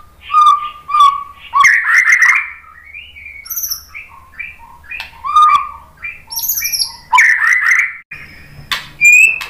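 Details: Murai batu, the white-rumped shama, singing as a lure (pancingan) for other shamas; repeated clear mid-pitched whistles alternate with dense chattering bursts and very high thin notes, phrases coming every second or so.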